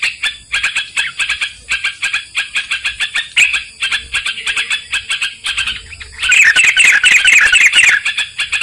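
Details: Bulbul lure recording used for trapping, the yellow-vented bulbul: steady trains of quick dry chips in short groups, then a louder burst of rich, bubbling chattering notes toward the end.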